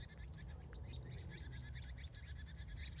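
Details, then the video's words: Sunset birds in California in the evening, lively high chirps and short twitters overlapping, a few notes standing out louder, above a soft low rumble. "Sunset, Bird Sounds, Sky and Colors"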